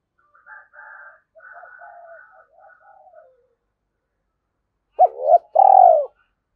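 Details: Spotted dove coo used as a lure call for wild doves. Soft, wavering low murmuring notes come first, then one loud phrase near the end: a rising note and a drawn-out, falling coo.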